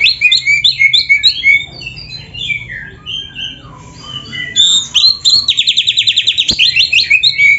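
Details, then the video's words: Singing oriental magpie-robin (kacer) from a master recording meant to train caged birds: jumbled whistles and chirps, a softer middle passage, then a fast rattling trill of repeated notes. "MASTERAN KACER GACOR FULL ISIAN JOS"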